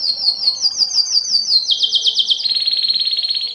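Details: Canary song to arouse females for breeding; fast repeated high chirping trill, slightly lowering, then a dense rolling buzzy trill to the end.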